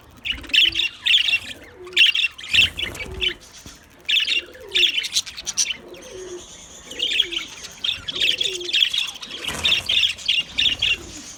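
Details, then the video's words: Chattering white budgerigars, a dense stream of bright chirps and warbles with rapid squawky bursts, alongside soft low cooing notes in the background. "White Budgies Bird vlog | Parrot k mastiyun"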